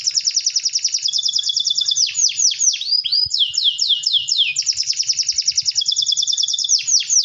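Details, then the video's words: Canary singing a long, continuous rolling song, rapid buzzy high trills interrupted by loud descending swoops, then rolling again without a break. "Suara Kenari Gacor ngerol Panjang"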